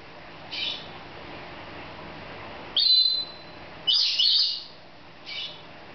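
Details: Playful pet female lorikeet laughing while exploring a new playground; four short, shrill, rasping squawks of varying length, spread over six seconds with quiet gaps between them, the middle two loudest.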